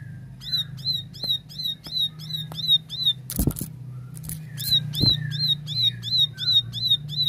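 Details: Plain prinia delivering a near-continuous series of shrill, evenly paced chirps, roughly three a second, briefly broken by two loud thumps, with a constant low droning hum underneath.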